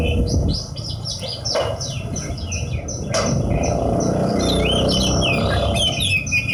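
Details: Horsfield's bush lark kept as a hobby bird, singing a fast run of repeated high downslurred chirps followed by mixed twittering, with two sharp knocks and steady low background hum.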